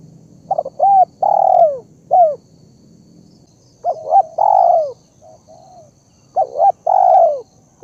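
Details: Spotted dove lure calling: the same phrase repeats three times. Each has clipped doubled notes, a long descending coo and a short falling tail coo, separated by brief silences. A quiet background hum is present.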